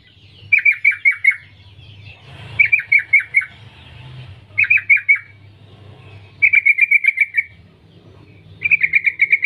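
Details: Sooty-headed bulbul female calling males, giving five rapid groups of four to six sharp descending chirps, each burst under a second long and separated by gaps, over a faint low background hum.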